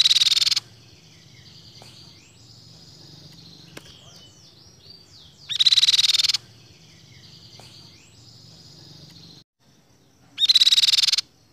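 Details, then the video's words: Crescent-chested babbler (tepus pipi perak) gives three loud, harsh, high bursts about five seconds apart, with thin chirps between them. "Burung Tepus Pipi Perak Gacor"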